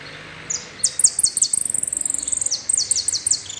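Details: Loud, fast saffron finch song in the "el rollo" complete style, packed with high staccato chips and repeated falling buzzy slurs roughly every quarter second, continuing through the whole stretch.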